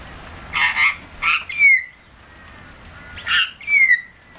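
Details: Australian magpie, one of a regularly visiting pair, wet in the rain and wanting food: harsh, buzzy squawks in two bursts, each ending in a clear descending whistled note, separated by a quiet gap.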